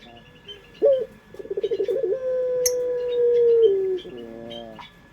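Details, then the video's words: Lure recording of a local Indonesian dove in pelung style. A sharp opening note and rapid throbbing coos lead into a long, smooth, steady coo of about two seconds that falls away, then a stepped ending. Faint bird chirps behind. "Suara Burung Puter pelung paling dicari bersuara merdu"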